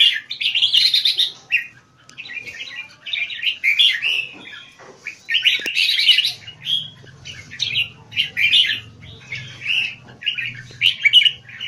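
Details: Competition Red-whiskered Bulbul from Singapore, bred for high-frequency keke with stamina to sing for hours in the arena, pouring out dense bright chattering phrases almost without pause over a faint low hum.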